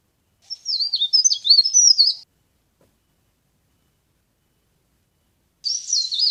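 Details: Leaf warbler, a lure sound for trapping, gives a lively high twitter of quick zigzag notes lasting nearly two seconds. After a pause, another thin wavering phrase begins near the end.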